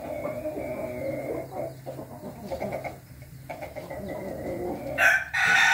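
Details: An Ayam Ketawa rooster, recorded 20 May 2024, gives a long, wavering, stuttering crow that rises and falls over several seconds, ending in a loud harsh burst; some background clucking is heard.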